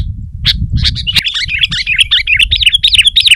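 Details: Sooty-headed bulbul singing energetically to press a rival, with other bulbuls roused to sing too; after a few sharp chirps, a run of quick warbled notes slides up and down, dense and hurried, over a low rumble.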